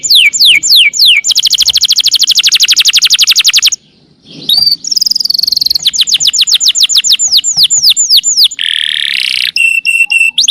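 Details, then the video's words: Canary delivering long 'nembak' song, used to tutor murai birds: falling whistled notes, a long rapid metallic trill, a short silence, then varied fast chirp runs, a buzzy rattle and clipped high notes. "Suara burung kenari nembak panjang/cocok buat masteran MURAY"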